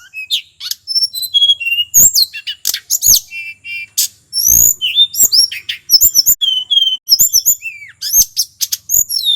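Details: Male tledekan, a local wild bird of Mount Merapi, in lively song: a continuous stream of high, rapidly varied whistles, upslurred and downslurred notes and clipped chirps, with hardly a pause.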